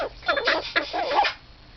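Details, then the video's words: Pet mitred conure kept indoors laughing while giving kisses to its owner, a run of throaty, warbling, voice-like syllables lasting about a second, followed by a short squeak. "Pudgy bird gives kisses and laughs"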